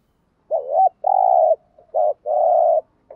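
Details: Decoy spotted dove giving the 'gù thúc' urging coo used to stimulate and train newly caught doves to call: two low cooing phrases, each a short wavering note followed by a long, steady, slightly buzzy hoot, with a faint trailing note.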